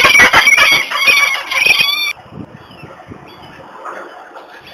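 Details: Wild adult female peregrine falcon at its nest in Włocławek, Poland, on 21 March 2022, chasing off a young unringed female intruder. Harsh, rapid cackling calls in a loud two-second burst, then only faint background noise.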